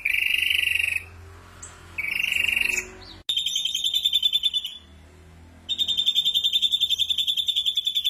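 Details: Ashy drongo delivering 'tembakan kasar', rough shot-like phrases: two lower buzzy bursts about a second each, a pause, then two higher pulsed trills, the last running over two seconds.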